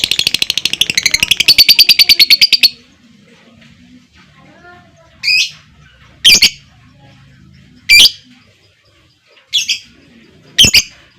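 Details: Long lovebird trill: a fast, dense rattling series of high notes lasting nearly three seconds, then loud, sharp single chirps at irregular intervals.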